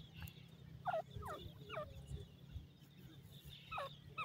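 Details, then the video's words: Forest-dwelling pheasant chicks reacting to a calling adult, giving a run of thin, downward-sliding peeps about every half second, then a pause and two more, all over a continuous low droning background. "Pheasant chicks dancing to the sound of the pheasant"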